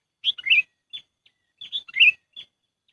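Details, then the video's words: Lure call for catching sooty-headed bulbuls: two rich, bubbly chirping phrases with short thin notes after each, delivered in quick succession against silence. "SUARA PIKAT BURUNG KUTILANG AMPUH"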